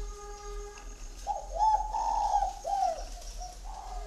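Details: Spotted dove with a "giọng Son" voice, kept in an aviary in Ba Vì, Hanoi, Vietnam: a rolling series of deep, breathy coos rising and falling in a gentle rhythm, over a faint background tone.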